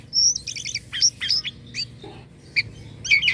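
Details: Jalak kapas starling singing energetically with strange sounds: a high thin whistle, a quick warbled trill, sharp chirps, then scattered softer notes and squeaks.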